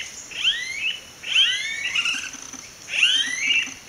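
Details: Smooth-billed ani giving three loud, whining, upward-sweeping notes about every 1.3 seconds, each followed by a shorter high rising slur; a steady high insect-like hiss runs underneath.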